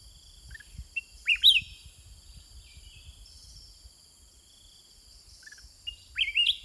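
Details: Caged sooty-headed bulbul (Pycnonotus aurigaster) counter-singing with wild birds, two short, bubbly phrases of rising and falling notes a few seconds apart, with a steady high insect drone behind.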